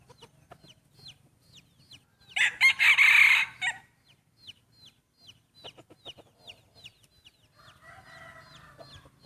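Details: Main breeding roosters competing in a crowing contest for the first time; a close rooster gives one strong, raspy crow of about a second and a half, a farther rooster replies softly, and small birds chirp steadily in the background.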